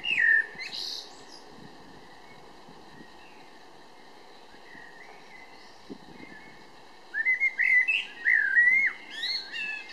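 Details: Eurasian blackbird in Berlin-Weißensee, Germany, 17 June 2012, giving a brief whistled phrase at the start, then a quiet gap with faint background noise, and a fuller fluting warbled phrase near the end.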